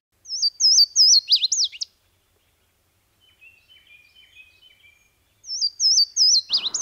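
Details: Louisiana Waterthrush, bobbing its tail, heard beside a road near home during a bike birding trip. Two loud song bouts of clear, high, slurred whistles, each ending in a quick jumbled twitter, with faint thin notes from another bird between them.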